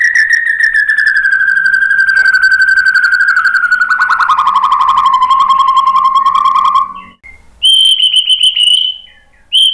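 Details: White-rumped shama song meant to provoke rival birds into singing. A long buzzy, trilling whistle slowly falls in pitch over about seven seconds. After a brief gap it gives a higher, steadier trilled note that repeats.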